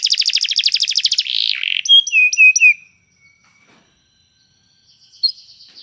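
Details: Canary song used to train another canary to sing: a fast buzzy trill of rapid repeated notes, then a low rasping phrase, then several bright whistled notes that sweep downward. The last half is almost silent, with faint high notes.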